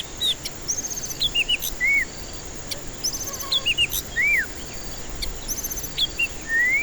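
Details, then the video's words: White-rumped shama song used to lure stressed, silent birds. Repeated phrases of a high level whistle, a sharp upstroke and short arched whistled notes, recurring roughly every two and a half seconds, ending with a long rising whistle. "Pancingan murai batu ampuh cocok untuk pancingan murai batu stres malas bunyi"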